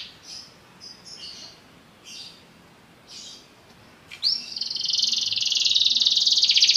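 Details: Belgian canary giving soft, faint scattered twitters at first, then bursting into a loud rising slur followed by a sustained, rapid, high rolling trill.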